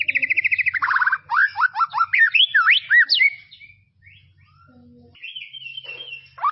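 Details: Song of a white-rumped shama in tropical forest, a master recording for young birds: opens with a rapid stuttering trill, then varied rising and falling whistles and a later drawn-out high note.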